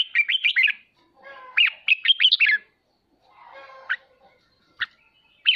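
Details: Red-whiskered bulbul ché song for spurring kept birds to practise; two quick bursts of bright warbled whistles early on, followed by a few separate sharp notes and a final short phrase.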